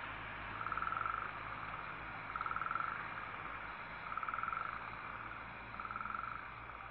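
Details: Owl chicks hiss while their mother feeds them, recorded December 19, 2012; four rhythmic, buzzy pulsed hisses arrive about every one and a half to two seconds over a steady hissing background.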